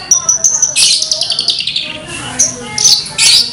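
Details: Lark song, described as melodious: a busy, varied run of high thin whistles, short chirps and harsh buzzy bursts following one another without a steady rhythm.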